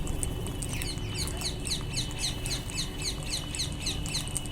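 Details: Wild Indian ringneck parakeets giving fast repeated short, shrill, downslurred calls, several per second throughout, over steady low background noise.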